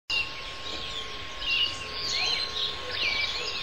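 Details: Austral thrush, Turdus falcklandii, singing: a run of varied, slurred whistled phrases, some sweeping up or down, over steady background hiss and a low constant hum.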